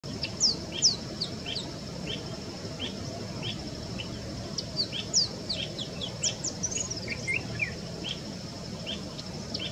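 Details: A Marico sunbird sings a quick, irregular twitter of thin, high chips and down-slurred notes, said to sound a bit like a Purple Sunbird, over a steady high insect-like hum and low background rumble.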